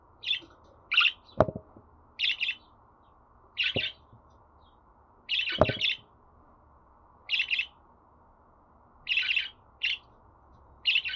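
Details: Budgerigar kept as a pet giving short, bright chirps, singly and in pairs, about one every second. A few dull clicks or knocks are heard between them.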